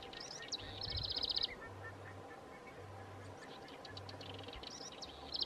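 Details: House wren, called chercan, vocalizing at Lago Sofia in the Magallanes Region of Chile: high twittering notes ending in fast buzzy trills, repeated twice, with low steady hum and background rumble.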